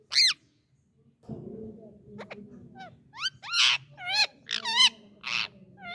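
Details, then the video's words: A talking Indian ringneck parakeet uttering a loud opening squawk, then wavering, bending screechy notes and rasping bursts in quick succession over a steady low indoor hum. "Ringneck Talking parrot"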